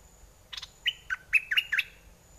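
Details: Caged red-whiskered bulbul used as a decoy, singing in an aggressive or wild mate-calling style: a quick phrase of five clear, slurred whistled notes that dip and rise, with a faint steady high hum behind.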